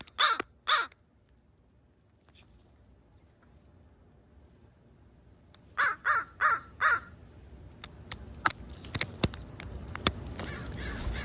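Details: A flock of crows gathering before roosting at a schoolyard toward sunset, growing bold about food: two harsh caws, a pause, then a run of four rasping caws, followed by rising rumbling noise and scattered clicks.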